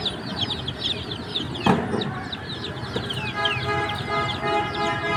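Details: Chicken chicks chirping, rapid high down-slurred peeps tumbling over one another, a sharp knock near the start, then some longer, clearer whistled notes toward the end.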